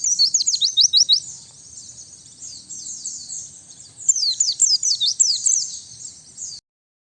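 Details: White-eye song for luring birds, noise-cleaned: an energetic opening of high, quick descending chirps, a softer run of jumbled twitters, then another loud burst of thin, falling notes before stopping abruptly.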